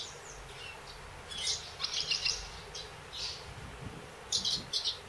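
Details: Eurasian crag martins from a winter roost of dozens of birds on a church facade in Ourique, Portugal, grow agitated after sunrise and some start flying, giving short, high chirping twitters in scattered bursts over a faint low rumble.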